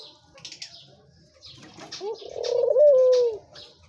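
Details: Australian white dove cooing while nesting, a low soft rolling coo that rises then trails downward over about a second and a half, with faint rustling and light chirps from other birds beforehand.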